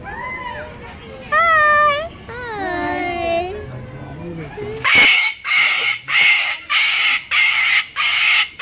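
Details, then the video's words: Umbrella cockatoo talking in high, wavering voice-like phrases, then breaking into harsh, loud screeches repeated about every second, six or seven in a row. "Crazy Talking Umbrella Cockatoo Going Mad"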